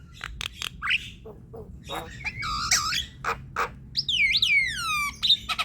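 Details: Javan myna chatter played to prompt silent, slow-to-sing birds: sharp clicks and short harsh bursts mixed with a buzzy rising note, then long descending whistles with rich overtones and a final squeaky note.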